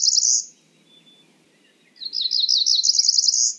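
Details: Cerulean warbler: a brief high buzz, silence, then a rapid string of buzzy notes climbing steadily higher, ending on a high buzz.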